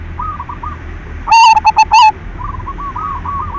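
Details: Silver zebra dove singing, used to excite other doves into song: soft background coos, a loud central burst of four short harsh notes, then gentle rhythmic cooing resuming.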